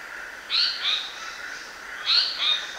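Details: Decoy Black-naped monarch giving a high, ringing two-note whistle, repeated once about one and a half seconds later, against a soft steady background tone.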